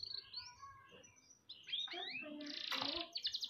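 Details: Canary song intended as a master for training birds: soft warbled whistles first, then louder varied slurred notes and a harsh dense buzzy burst with a rapid trill.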